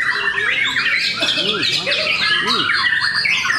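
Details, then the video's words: White-rumped shamas in a singing contest at Cikeas, many birds at once: tangled bright whistles and harsh squawky notes, while people's voices murmur faintly below. "Serunya pertarungan murai batu"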